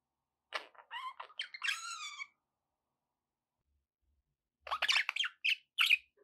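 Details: Pet budgerigars giving bright harmonic chirps and a warbled, slightly nasal phrase, then after a silent pause a second rapid run of sharp, high chirps and clicks.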